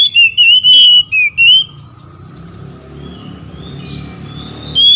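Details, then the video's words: Oriental magpie-robin pair, male and female, duetting in answer to each other, used to make other magpie-robins sing: a quick run of bright whistles and rising slurs, followed by near silence with faint hum and a final note. "PANCINGAN KACER BETINA DAN JANTAN BERSAUTAN BIKIN KACER LAIN MARAH DAN GACOR"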